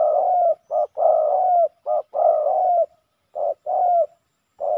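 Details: Male spotted doves fighting fiercely at a ground decoy site in Thailand. Loud, hoarse, rolling coos in paired phrases, a short note followed by a longer drawn-out one, repeated about once a second. The background is quiet.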